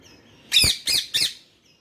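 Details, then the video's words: A parrot answering its owner with three loud, harsh squawks, the first long and the next two shorter, each broken by a brief pause. Quiet room background. "The Parrot responding, Wait I am here, I am coming!!"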